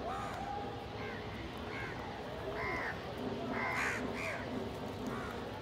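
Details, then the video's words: Crows feeding together, with a pigeon also present: a run of harsh, arched caws in quick irregular sequence, some overlapping, over a steady low hum and murmur of background noise. "Crow ki awaz naturally"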